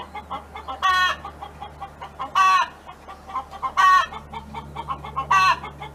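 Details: A neighbour's hen in song on a farm: four loud drawn-out squawks at regular intervals of about 1.5 seconds, soft clucks between, steady low hum in the background.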